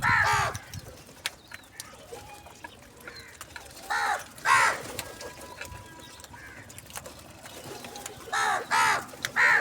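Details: Crow calling for food in the morning. Harsh, hoarse caws come in short bursts: one at the start, a pair near the middle, and a quick run of three at the end. Quiet background in between.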